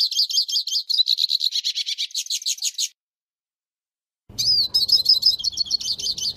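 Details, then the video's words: Hooded siskin song in two bursts of fast, high twittering and buzzy trills, separated by a brief silence of about a second and a half. "Hooded Siskin Song, Hooded Siskin Call, Bird Sound - Cabecita Negra Canto"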